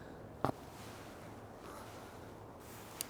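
Near silence with a low hum, broken by one soft knock and a tiny click near the end, with no animal sounds.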